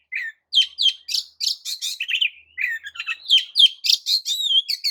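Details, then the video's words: Oriental magpie-robin singing a song used to make rival magpie-robins excited and emotional; fast, nearly continuous string of high chirps, trills and slurred whistles, about three notes per second, rich and varied throughout. "JENIS KICAU KACER TERAMPUH JADIKAN KACER AMAPAT LANGSUNG TERPIKAT EMOSI!"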